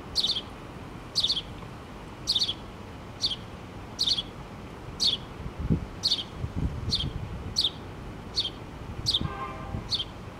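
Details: House sparrow mother with her two young in a nest inside a pole, filmed close up on 8-3-2017; sharp high chirps repeated about once a second, over faint rustling and a low background rumble.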